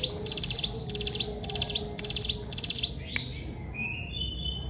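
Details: Hill prinia singing lively in long bursts: five rapid, buzzy, stuttering trills about half a second each, then a pause with faint thin whistles and a low background hum.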